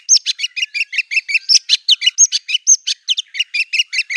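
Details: White-rumped shama (murai batu) in a fierce, rapid-fire song laced with imitations of canary, cililin, cungkok and lovebird: a steady run of sharp, paired high chips, about five per second, with brief buzzy notes mixed in.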